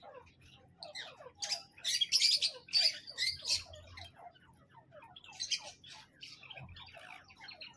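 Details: A male and female pair of grey francolins, with the male's voice featured, call in loud, harsh, high squawking notes that tumble out quickly and unevenly at more than two per second, with several peaks of loud overlapping calls.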